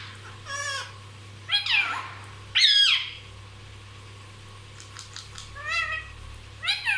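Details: Talking pet parrot that is said to speak non-stop: a few separate harsh, rasping squawks and drawn-out, wavering calls with long pauses between them, over a steady low electrical hum.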